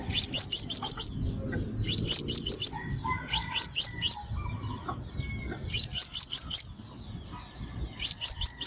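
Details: Crimson sunbird call used to lure birds into traps: repeated bursts of five or six quick, thin, very high chirps separated by brief silences.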